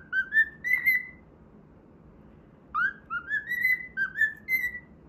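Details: Whistled tune from a pet cockatiel at play: a brief rising phrase, over a second of near silence, then a lively run of rising and falling pure notes.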